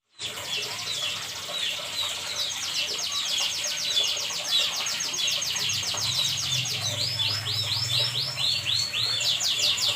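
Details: Canary singing vigorously at night: fast buzzy trills and rolled chirps repeated in bursts, then a run of rising looped notes, over a low steady hum.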